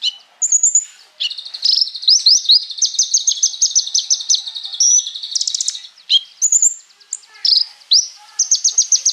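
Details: Scarlet-backed flowerpecker delivering rolling, rapid-fire song meant to provoke sunbirds into singing: a sustained series of quick upward-sweeping high notes, then ticks and short shrill whistled phrases.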